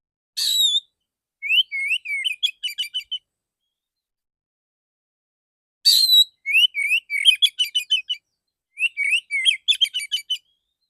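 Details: Male Oriental magpie-robin repeating full "dor dor" shooting-style song with a clear "ngeplong" voice. Three bursts, each of a buzzy rasp or whistles, then a rapid volley of sharp chirps, with pauses between phrases.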